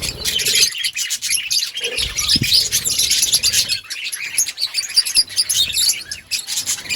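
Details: Outdoor colony of budgerigars chattering together: a continuous wash of high, rapid chirps and warbles from many birds, with a faint low thump partway through.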